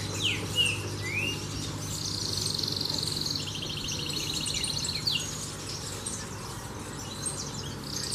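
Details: A domestic canary sings long, even, rattling trills, including a sustained high trill lasting several seconds, plus short rising sweeps and chirps, over a steady background hum and noise.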